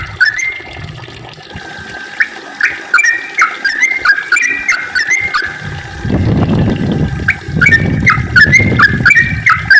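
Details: Yellow-vented bulbul singing 'ropel panjang' to get other bulbuls singing: fast, chattering bubbly notes, a brief lull masked by low noise, then more bright repeated phrases.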